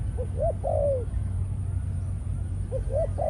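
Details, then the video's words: Male spotted dove, a Malaysian-type caged decoy in breeding mode. There are two short rising coos and a long falling note, a pause, then the phrase starts again, over a low rumbling hum. "Chim cu gáy mồi || Nọc Neymar dưỡng vài kèo ăn đất rồi vào chế độ Sinh Sản"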